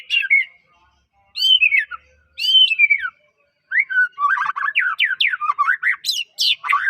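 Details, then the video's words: Medan white-rumped shama in full song, used to provoke other shamas into singing: slurred descending whistles in short bursts separated by pauses, then a fast stream of varied sharp whistled notes. "MURAI batu gacor suara unik bikin murai murai batu lain langsung gacor"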